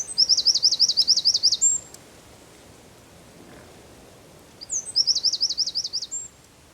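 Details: Two bursts of shrill, rapid trilling from a Eurasian wren, recorded at San Miguel de Daño, Zamudio, on 4 December 2019, each phrase under two seconds with silence between.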